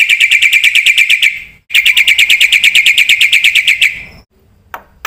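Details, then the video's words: Black-winged myna in full song, recorded to stir and tutor other birds. Two long, rapid, ringing trills are separated by a short pause, followed by a few faint sharp clicks. "suara burung jalak putih gacor full isian ini JUARANYA untuk pancingan dan masteran"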